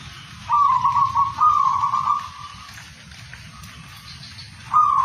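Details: Zebra dove singing: a loud rolling, trilled cooing near one pitch, a long burst broken into phrases over two seconds, a pause with faint notes, then another loud phrase begins at the end.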